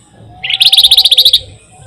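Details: Flamboyan singing a rolling, chatty trill, used as a lure to draw songbirds. A single burst of about a dozen rapid, bright, evenly spaced notes lasts under a second against a quiet background.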